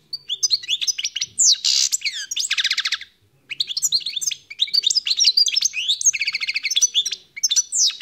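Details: Wild-caught European goldfinch twittering rapidly, with two harsh buzzy notes early on, a brief pause, then more bright chirps and a pulsed buzzy trill.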